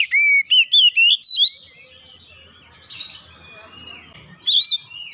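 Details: Oriental magpie-robin song, played as a lure to coax a quiet bird into full song: a run of six loud, clear whistled phrases rising and falling in the first second and a half, then faint chirps and low background hum.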